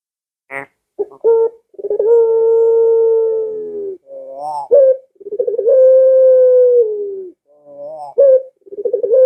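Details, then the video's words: Barbary dove sound for luring caged doves into calling: a few brief stuttering notes lead into long drawn-out low coos, each followed by a soft rising warble and a quick upswept note, in a steady repeating cycle. "Suara Burung Puter Ini Memikat Puter Anda Dirumah Sehingga Ikut Bunyi"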